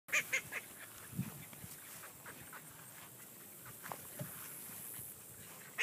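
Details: A trio of magpie call ducks give a couple of loud, harsh quacks at the start and another at the end, with a few softer calls between over steady background hiss.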